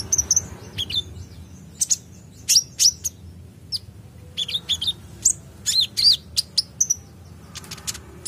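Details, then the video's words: Van Hasselt's sunbird responding to the sound of another bird, giving thin, very high, sharp chirps and squeaky notes in quick irregular bursts, some dropping slightly in pitch, over a faint low hum. "Konin bahan langsung respon bunyi dengar konin gacor ini"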